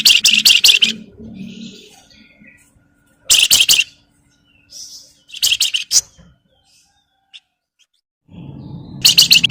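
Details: Javan myna, or flamboyan, producing its crecetan chatter to lure other birds into song: repeated bursts of rapid harsh, grating notes spaced by short silences, with fainter rasps and a low hum near the end.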